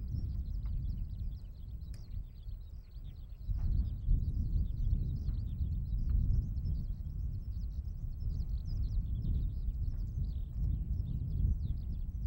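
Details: Eurasian skylark in open farmland at Sone Shinden, Kokura Minami ward, Kitakyushu, Japan. Continuous high, jumbled warbling with rapid chirps and short trills for the whole twelve seconds, partly masked by loud low-pitched rumbling noise.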